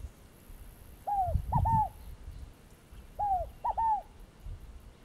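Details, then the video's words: Two phrases from a scaled dove (fogo-apagou), each a hollow falling coo followed by two fast similar notes, the second phrase two seconds after the first. Low rumbling noise sits beneath. "Fogo-apagou - Ave"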